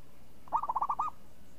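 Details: Champion zebra dove with a crisp, swinging voice: one cooing phrase of about six quick, rounded notes, the first note loudest, followed by a slightly longer final coo, over a quiet background.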